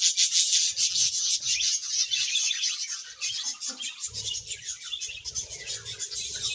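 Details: Budgerigar colony in happy mood, a continuous wash of high warbling chatter and squeaky chirps from many birds, steady throughout with faint low thumps.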